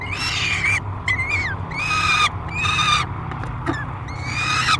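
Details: Noisy peregrine falcon on a nest box camera at Great Spirit Bluff in July 2021, screaming at feeding time: long harsh cries that dip at their ends, four or five in under five seconds, over a constant low hum.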